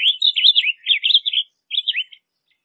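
A Blue Grosbeak sings a rich, hurried warble of sweet rising and falling notes for about a second and a half, then a shorter phrase.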